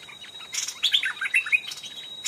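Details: A wild, mature Stripe-throated bulbul on a hillside near a cliff, close to a decoy cage, gives a quick burst of bubbly, chattering notes around the middle pitch range, over a steady thin high hum.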